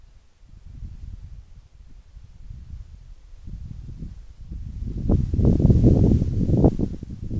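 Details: Low rumbling handling and rustling noise that grows louder toward the end, with no calls.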